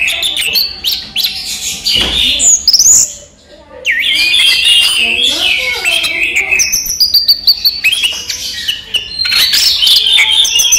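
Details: Caged orange-headed thrush, a songbird-keeper's collection bird, singing during the day: loud, varied phrases of clear whistles, rapid slurred notes and sharp high chirps, with a brief pause near the middle.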